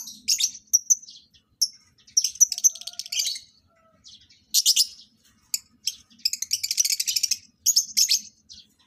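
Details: During pairing of breeding lovebirds, bursts of rapid, scratchy high chirping alternate with brief clear whistled notes and short pauses.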